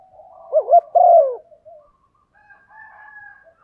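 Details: Female spotted dove prompting a male: one phrase of two quick wavering coos and a longer falling note, followed by faint quiet calls.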